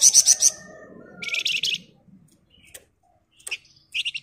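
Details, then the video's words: Sunda bush warbler, known locally as flamboyan, singing continuously in a dense, rapid style called ngebren rapat: bright high buzzy trills in quick bursts, a lower rattling phrase, scattered sharp ticks, then another fast trill at the end. "Burung Flamboyan Gacor Ngebren Rapat"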